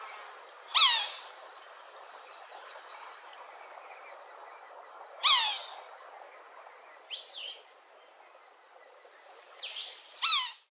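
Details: Harsh, down-slurred squealing cries of a red-naped sapsucker, a woodpecker, spaced about four to five seconds apart, with softer short notes in between over a steady background hiss.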